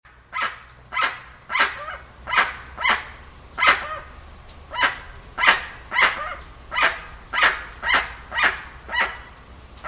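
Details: Dusky-legged guan giving a series of harsh, honking, bark-like notes, each a loud broad burst, repeated nearly twice a second in an uneven rhythm, with a faint low hum underneath.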